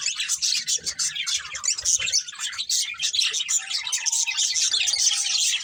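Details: Breeding pair of colourful budgerigars chirping nonstop, a busy mix of shrill twitters, squeaks and warbled chatter, loud and unbroken, with a brief lower tonal note near the end.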